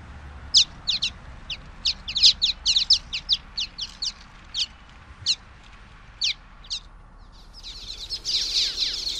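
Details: Common waxbill giving rapid bursts of thin, high-pitched descending chips, sometimes doubled, pausing briefly between runs; a burst of broad rustling noise closes the recording.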